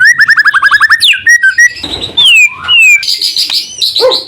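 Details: White-rumped shama song used to provoke other shamas: about ten quick identical whistled notes, then a rising slurred whistle, a long descending glide, and a high buzzy phrase to finish.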